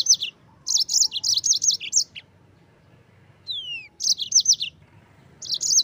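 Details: A yellow-fronted canary delivers its rolling 'ngerol' song, used to train white-eyes. Fast runs of bright, high chirps alternate with silences, and one long, clear, down-slurred whistle stands alone mid-clip.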